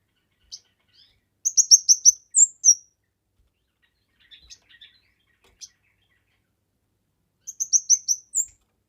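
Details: Kemade in full song, used for masteran training and lure recordings: bright, high, rapidly repeated chirps in a quick series, a soft scratchy patch in the middle, and a return of the fast chirp string.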